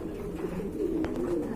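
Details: Pigeons kept at a large pigeon farm give low, wavering coos that swell and fade, overlapping in a continuous murmur, with one brief click partway through.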